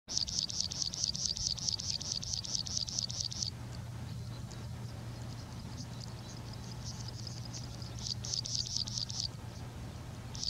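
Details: A plain prinia at Mettur reservoir, Salem, India, where the species is very common, sings fast, buzzy, high trills of rapidly repeated notes in bursts of a few seconds over a steady low hum.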